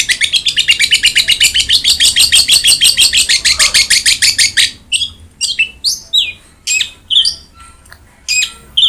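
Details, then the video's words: Long-tailed shrike training song for a quiet shrike: a fast, even rattle of scratchy notes for about four seconds, then slower, spaced single whistled and harsh notes. "BURUNG CENDET GACOR| Masteran Wajib Untuk Burung Cendet Malas bunyi"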